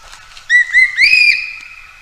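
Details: Common green magpie calling for a mate: three quick, clear whistles, the first two short and slightly rising, the third longer, swelling and then fading slowly.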